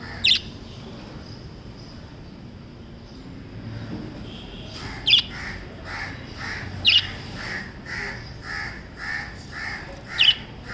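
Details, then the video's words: Lovebirds uttering sharp, high, clipped chirps every two seconds or so, about five in all, with a run of softer, lower, evenly spaced calls from another bird in the background and constant low hiss. "Love Birds Chirping sound"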